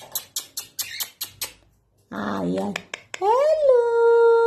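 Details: Indian ringneck parrot indoors: a run of tapping clicks, a short warbling human-like voice, then the bird's own drawn-out nasal voice-like phrase, rising then held steady.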